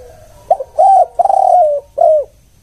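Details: Spotted dove lure call of the one-kuk type: a short clipped note, a rising coo, then a long sustained coo and a final falling coo, all low and mellow, in a quiet setting.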